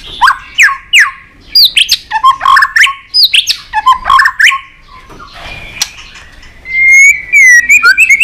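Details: A white-rumped shama sings a long, many-voiced song, tail flicking on a perch. Rapid strings of sharp descending chirps repeat in bursts, followed by a quieter gap, then a loud run of fluid whistled phrases.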